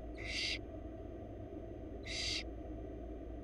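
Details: Wild barn owl chicks in a Florida nest box being fed by their mother give two harsh, hissing screeches about 1.5 seconds apart, each roughly half a second long, over a steady low electrical hum.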